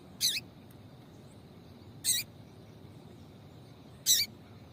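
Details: Female yellow-bellied seedeater call played to stir male seedeaters into song: three loud, clear, downward-slurred high chips roughly two seconds apart, with quiet hiss and a faint steady high hum behind.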